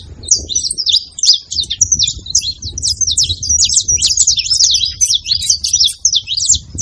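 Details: A flock of saffron finches making noise together, tightly packed high, scratchy chirps and zig-zag twitters repeated without break, against a quiet low background murmur.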